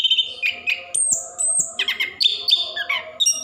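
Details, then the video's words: Orange-headed thrush song meant to coax lazy caged birds into singing; a long high whistled note sliding down, then mixed mid-pitched warbles and short bright whistles in rapid succession. "Anis Kembang / Plontang Gacor Ngerol"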